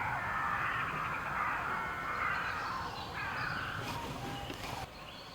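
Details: Migrating cranes heading back north, a flock giving continuous overlapping rolling, trumpeting calls through most of the recording, fading near the end, with low background rumble.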